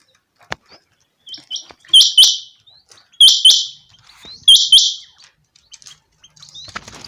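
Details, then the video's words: Common quail heard in a summer meadow. A soft lead-in gives way to three loud paired-note phrases about a second and a quarter apart. Faint rustling follows at the end. "common quail. bird sounds from summer meadow"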